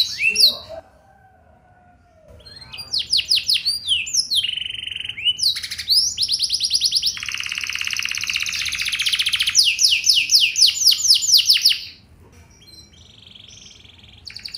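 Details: Canary singing a luxurious cengkok-style lure song meant to prompt other canaries to answer: bright, rapid trills and rolls, then a long dense buzzy stretch of repeated high notes that stops abruptly, followed by a softer short phrase.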